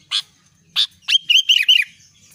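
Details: Albino sooty-headed bulbul singing energetically: two short scratchy chips, then a fast, gurgling, warbled phrase of several looping whistled notes, clear and loud against a quiet background.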